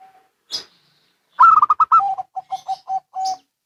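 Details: A zebra dove duet, local and Bangkok birds answering: a loud burst of rapid, higher coos drops straight into a string of lower, evenly spaced staccato notes ending in a longer held coo.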